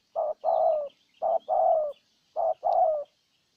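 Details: Decoy spotted dove in Ninh Thuận, Vietnam, luring a wild bird: three clear short-then-long coo pairs, the long note sliding slightly downward, over quiet surroundings.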